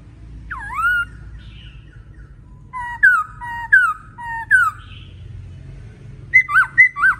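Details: A fired-up male laughingthrush sings loud, clear whistles: a swooping opening note, then four falling slurs about a second apart, ending in a quick run of bright notes; used as a stimulating song.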